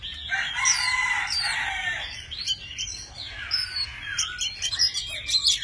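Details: Tame Oriental magpie-robin singing in many voices while dancing with wings spread and tail fanned; dense overlapping warbled and whistled phrases run on without a break, fairly loud and blurred.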